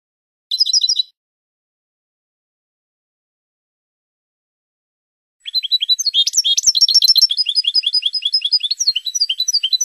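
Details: Training recording of a Spanish European goldfinch for cage birds: a short burst of twittering, about four seconds of silence, then a long energetic stream of rapid, liquid chirps and trills.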